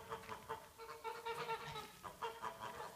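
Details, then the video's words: Farmyard geese calling with short, clear, nasal honks in quick succession, several birds overlapping in a busy chorus. "Die Gänse im Hof"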